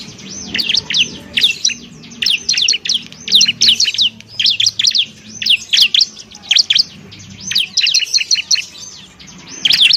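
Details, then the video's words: Bar-winged prinia song used as a training recording for other songbirds: rapid series of high, sharp chirping notes in quick bursts with brief pauses, steady throughout. "masteran burung ciblek"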